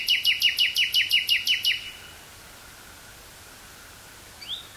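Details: Wild nightingale song, Burgh-Haamstede woods, Netherlands, 18 May 1983, portable stereo cassette recording: a regular burst of about ten sharp chirps in under two seconds, then quiet and one faint rising note.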